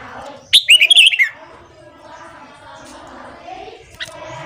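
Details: Red-whiskered bulbul morning singing meant to rouse wild-caught bulbuls; a single quick, loud burst of clear chopped notes sliding downward, followed by quieter background chatter and one faint later chip.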